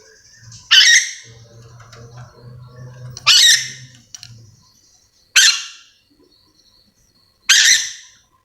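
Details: Sulawesi's endemic yellow-and-green lorikeet gives four rasping, screechy calls spaced about two seconds apart, with a low steady hum in the background during the first half.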